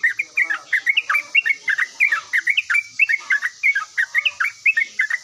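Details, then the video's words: A yellow-vented bulbul in full song and answering immediately, giving a rapid run of bubbly, slurred whistled phrases, roughly three each second, in a continuous chattering stream over a faint high hiss. "OCEHAN BURUNG TRUCUKAN GACOR LANGSUNG NYAUT"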